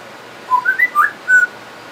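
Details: A pet talking parrot that imitates words and sounds whistles a quick run of five clear notes that jump up and down in pitch, ending on a longer steady tone, in a quiet room.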